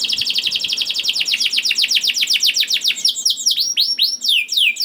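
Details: Young canary singing to prompt other canaries to sing: a long fast series of repeated sharp chirps, roughly four per second, giving way to looping slurred whistles.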